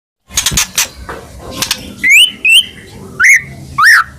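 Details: Caged white-rumped shama in full song, kept for singing contests: a few sharp clicks and noisy notes, then loud rising-falling whistles repeated about every half second.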